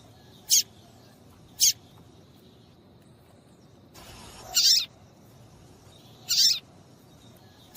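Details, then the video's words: Female papa-capim seedeater calling to make males sing: a pair of brief, piercing high chirps, a quiet gap, then a rasping burst and another sharp squeak, irregularly spaced. "PIADO DE FÊMEA DE PAPA CAPIM PARA DEIXAR SEU PAPA-CAPIM DOIDO PARA CANTAR LOGO!"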